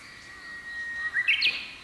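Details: Japanese bush warbler in May, singing in the morning while perched on a Japanese pampas grass plume in Japan: a long steady whistled note that slides up into a quick, loud, warbling flourish at the end.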